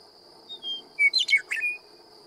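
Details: A western meadowlark along Willms Road at Knights Ferry in California's Sierra Nevada sings one brief phrase of clear, descending flute-like whistles, then a quick bubbling, gurgled jumble, over a faint steady high hum.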